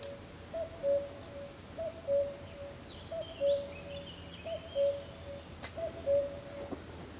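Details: Common cuckoo (Cuculus canorus), heard but unseen, near the San Antolín pond at Goikomendi, Zamudio, on 7 May 2020, with common frogs present: familiar two-note cu-coo, falling in pitch, repeated about every second and a half.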